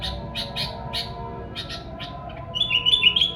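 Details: Sooty-headed bulbul song used as a lure for wild birds: a run of short, sharp chirps repeated quickly, then a brief bright whistled phrase at the end, over a steady low hum.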